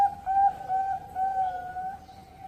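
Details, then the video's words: Ringed captive zebra dove from a bird farm in Cirebon, Indonesia, dated 16-10-20, its song offered as suited for contests or breeding; a steady low cooing tone swelling and fading in soft pulses throughout, with faint background hiss. "SUARA PERKUTUT COCOK UNTUK LOMBA atau TERNAK"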